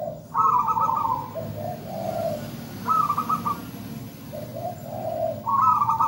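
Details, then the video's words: Singing local zebra dove, used as lure and master song: a bright trilled coo falls into low rolling purrs, repeated three times over a soft background hum. "PERKUTUT GACOR MERDU MEWAH"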